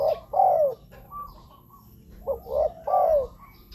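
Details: Spotted dove cooing, used as a lure for wild doves: two loud mellow coo phrases open the recording, a quiet pause follows, then a three-note cooing phrase ends it. The background is still.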